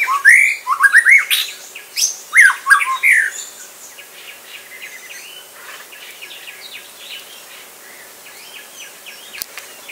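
Ferruginous partridge calling with loud, squeaky rising notes in a quick burst over about four seconds, then fading to faint chirps from other birds.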